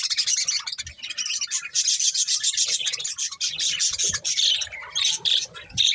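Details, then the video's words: Budgerigars munching corn produce a steady, busy stream of high buzzy twitters and chirps, scratching and rubbing sounds mixed in. "Cute Budgies Enjoying Eating Corn | Love Birds Chirping Sounds"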